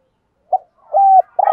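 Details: Spotted dove cooing in the urging style used to provoke wild males. A short hooted note, then a sustained mellow coo, then a harsher buzzy coo cut off at the end.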